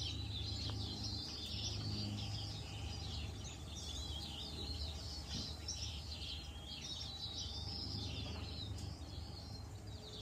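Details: Songbirds in spring in a backyard bamboo in Northern California, said to be Canadian visitors leaving in April; a dense chorus of high chirping and twittering notes over a steady low hum of background noise.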